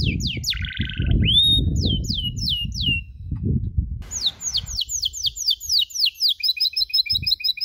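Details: Domestic canary masteran for young canaries learning the cuit-cuit sound: sweeping chirps over loud low rumbling noise, then a clean series of rapid downslurred chirps and a fast ticking trill.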